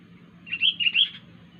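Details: A wild sooty-headed bulbul making a strange sound: one brief, bubbly phrase of three linked, slurred whistles lasting under a second, against low background noise.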